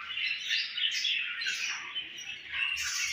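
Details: Baby budgerigar from a home breeding setup giving fast, dense chirps and squeaky warbles, many notes per second, forming an unbroken high chatter.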